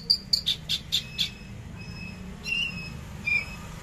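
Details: Javan bush lark in captivity, 13 December 2022 at 10 a.m., trotol song: six quick sharp high notes, then a quieter pause with a few faint whistled slurs.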